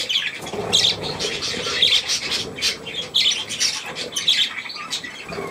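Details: Young budgerigars with millet on 3 May 2024, giving dense, busy high chirping and warbling chatter in rapid overlapping bursts, several birds calling together indoors.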